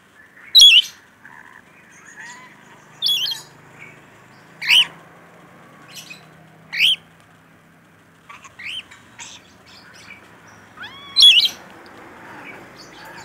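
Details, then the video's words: Rainbow lorikeet calling actively, giving loud, harsh, high screeches spaced a few seconds apart, with softer chattering notes in between and a quiet background. "Suara Burung Nuri Pelangi Gacor"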